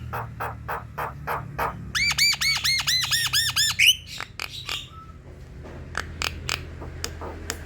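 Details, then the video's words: Javan myna song played as a lure to coax a sluggish, reluctant bird into singing: dry clicking notes, then a fast series of about ten repeated arched harmonic whistles, followed by more sharp clicks and a brief flat tone. "Jalak kebo lelet dan malas bunyi coba putarkan suara ini untuk pancingan"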